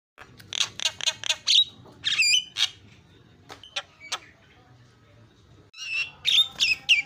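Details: Starling song used as a lure so that silent birds turn talkative: a quick series of buzzy rasping notes, a few harsh squawks and sparse clicks, then a loud, busy burst of squeaks and whistles at the end.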